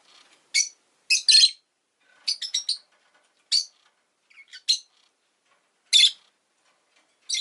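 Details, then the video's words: Pet rosy-faced lovebird chirping: shrill, high, clipped calls, some single and some in quick pairs or triplets, spaced about a second apart with silent gaps between. "Lovebird Chirping Sounds"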